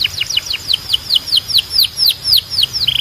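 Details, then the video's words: Belgian canary song used for training canaries to sing: a rapid series of descending whistled notes around two to six kilohertz, about four per second, ending in a short sustained trill. "Canto de Canário 2026 Mais Procurado 🔥 Som de Canário Belga Super Afinado SEM PARAR‼️"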